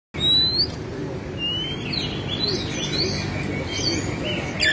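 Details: Oriental magpie-robin (kacer), a tutor bird singing vigorously with tail spread and pouring out its learned repertoire: sharp high whistles and slurred notes, some rising, over a steady low hum of background noise.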